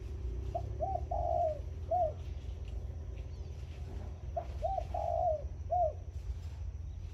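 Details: Zebra dove decoy bird singing in the morning, two rapid phrases of short high clipped notes with a longer trilled note in the middle, separated by a pause, over low steady rumbling background noise.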